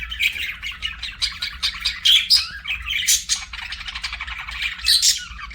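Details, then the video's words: Budgerigar chirping and warbling as a kept pet, a dense, continuous run of high, rapid chirps, squawky notes and bright whistled peaks, with a faint low hum underneath. "BUDGIE CHIRPING SOUNDS"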